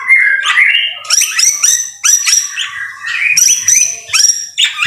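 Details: White-rumped shama singing in the rain, recorded as a vigorous tutor song for training other birds: rich, fast-changing whistled phrases, sliding and trilled, alternating high bright notes with lower warbles in a continuous varied stream.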